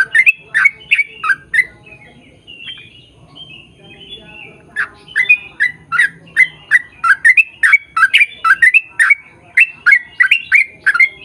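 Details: Sooty-headed bulbul in energetic long rapid-fire song, used to lure birds of its kind into singing: fast bubbly notes, a quieter spell of thin whistles, then a dense burst of quick chirps to the end.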